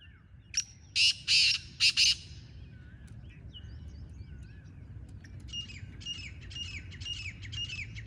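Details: Wild black francolin answering a captive one; four loud, harsh grating bursts in quick succession early on, then softer repeated slurred notes and faint chirps against a low outdoor hum.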